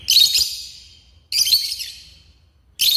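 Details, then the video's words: African lovebirds kept as pets giving loud, harsh, shrill screeching calls, each a broad high burst fading over about a second, three in quick succession, with a low hum underneath. "My African love birds"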